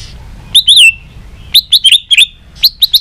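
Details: White-rumped shama, caged, trained for competitive song with tail flicking; high clear whistled notes repeated in short bursts, sharp rising and falling slurs separated by brief pauses.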